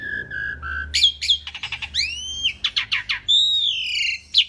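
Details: Jalak suren, the Asian pied starling, singing a vigorous masteran song: steady whistled notes, then rapid clicks and sweeping upslurred whistles, choppy squawky bursts and a long, bright, falling whistle.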